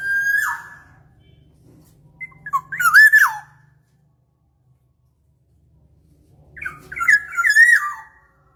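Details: Black-naped oriole lure recording: fluty, slurred whistled phrases, the first a short bright note, then two longer wavering, descending warbles after pauses, each ending with faint high overtones; quiet low hum between phrases.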